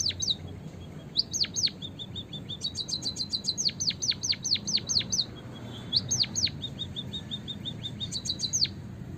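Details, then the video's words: Lure recording for trapping white-headed munias: repeated bursts of sharp, high downslurred chirps alternating with soft, thin level notes and quick high ticking runs over low background hum. "PIKAT BURUNG EMPERIT KAJI GACOR"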